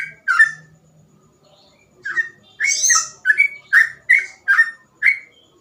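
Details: Sooty-headed bulbul (trucukan) singing in gacor ropel style, with easily copied phrases, used for training or provoking young birds; short, bubbly whistled notes, some with buzzy overtones, in a broken series after an opening pause, with faint low hum.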